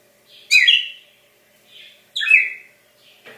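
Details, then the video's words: Caged Brazilian cardinal, an elderly breeder-raised male kept as a pet, singing on Christmas morning, 25 December 2016: two loud slurred whistled phrases falling in pitch, about one and a half seconds apart, with soft quieter notes between. "Brazilian Cardinal"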